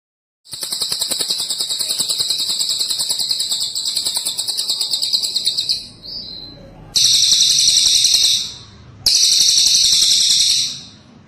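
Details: Cililin bird singing a long, dense, high buzzy trill that runs unbroken for about five seconds, then two shorter bursts of the same shimmering trill separated by brief pauses.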